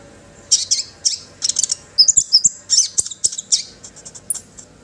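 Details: Orange-headed thrush singing, a recording to encourage other birds to sing: quick high twittering notes and short slurred whistles in a steady, varied chatter lasting several seconds.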